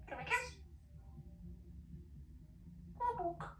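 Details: A young female Congo African grey parrot, a talking pet in a home whose favourite phrases include "give me a kiss", utters two short, voice-like babbled words over a low indoor hum.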